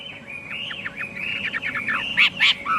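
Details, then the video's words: Chinese hwamei in a softer, rambling passage of quick trilled and falling slurred notes, ending in two louder, clear whistles. "tiếng chim hoạ mi hót cực hay"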